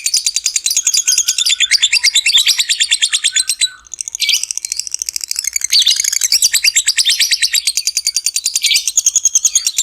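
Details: Lovebird giving a long ngekek trill, used as a lure to stir other lovebirds into singing: a dense, fast, high chattering run of pulses that breaks briefly near the middle, then resumes as steadily as before.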